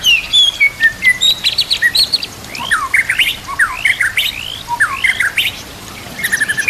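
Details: Master song of a white-rumped shama (murai batu) meant for training other birds: rapid high chattering notes, then a series of loud upslurred whistles in clusters, finishing with quick high trills.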